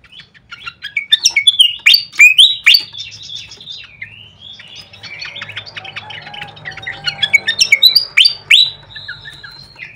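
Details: Fantail flycatcher lure sound with tutoring recordings: bursts of sharp, loud upslurred whistles and chirps, a quieter stretch with a low, level tone, then another rapid run of whistles.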